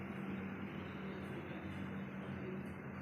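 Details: Steady low rumble of vehicle traffic with a faint hum, and no animal voice.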